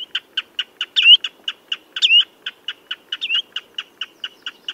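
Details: Common redshank giving rhythmic short piping notes with three prominent looping whistles that climb then dip, against near silence.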